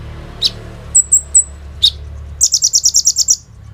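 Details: Sharp chips and three thin high whistles lead into a fast, buzzy, evenly pulsed trill from a singing kolibri ninja sunbird, captured on an Oppo A37f phone for use as a training lure.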